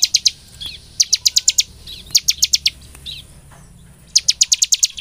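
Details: Bar-winged prinia song for prompting birds to sing: three short bursts of quick, shrill, evenly spaced chirps separated by near-silent gaps with faint softer notes.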